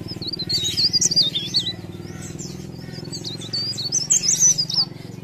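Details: High, fast, zigzagging warbles from a leaf warbler singing energetically, two bursts of tumbling thin notes separated by a short pause, over a constant low droning background hum.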